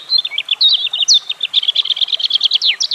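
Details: Rapid, continuous European robin phrase of short high notes, starting with warbled slides and becoming an even, fast series of crisp notes, ending with a falling whistle.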